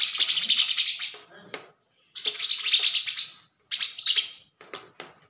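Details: Sparrow fighting its own reflection in a mirror: three bursts of fast, harsh chattering chirps, each about a second long, separated by brief silences, with light tapping between bursts.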